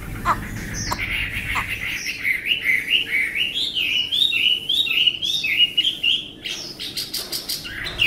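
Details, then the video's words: Tame Chinese hwamei pours out a steady chain of wavy whistled notes, zigzagging up and down in quick succession, then ends with a few sharp clicks and a final rising whistle. "họa mi ccdv1121 thuần đẹp giọng hay quá"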